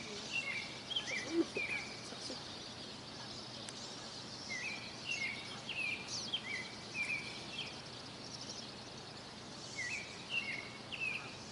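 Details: Birds chirping on a mountain morning: short high rising chirps scattered in loose clusters over a steady broad hiss of white noise.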